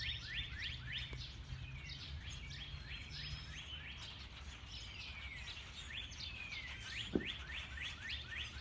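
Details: Spring morning birdsong heard on opening a back door, very loud: steady series of short, sharp rising chirps repeated rapidly, several birds overlapping in a dense chorus, with a low background hum throughout.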